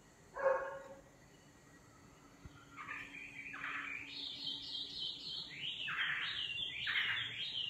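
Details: Singing nightingale: a low note, a pause, then a build into repeated descending whistled phrases that become louder and more rapid.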